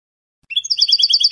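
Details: European goldfinch singing a Spanish-style salon song (canto de salón), a training recording. After a half-second of silence, rapid repeated twittering notes start and run on evenly to the end.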